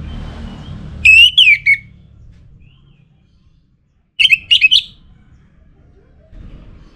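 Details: A captive orange-headed thrush (Geokichla citrina) sings two short bursts of rich, fluted whistles that twist up and down, a few seconds apart, over a faint low rumble.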